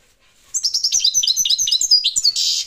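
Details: Goldfinch, subspecies parva, delivering one continuous phrase of quick, sharp, high tinkling notes, ending in a harsh buzzy rasp.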